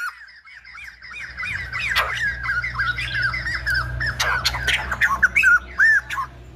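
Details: Fast, busy chattering of a silver-headed babbler, whose singing is likened to a lumba dancer, with tightly packed looping notes over a steady low hum, ending in a few cleaner, well-spaced arched phrases.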